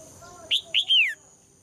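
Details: Female red-whiskered bulbul song used to excite males into singing: two short whistled notes then a longer downward-sweeping slur, loud and clear. Soft lower warbles come before it, with a steady thin high tone in the background.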